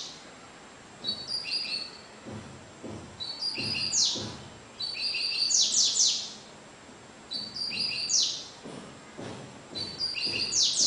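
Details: Double-collared seedeater, averaging about 30 songs per minute, sings a repeated phrase every two to three seconds: high buzzy notes followed by sharp descending chips, with faint background noise.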